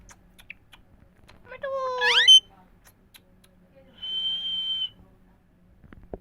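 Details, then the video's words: Indian parrots talking: a burst of stacked, sweeping harmonic squawk notes that climb sharply in pitch, followed after a pause by one steady high whistled note. "Indian parrots talking Mithu Miya Mithu parrots sounds"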